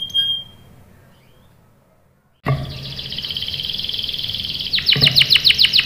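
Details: Canary lure song for provoking a rolling reply: a short whistle, two seconds of near silence, then a sustained buzzy rolling trill that breaks into a run of sharp downslurred notes at the end.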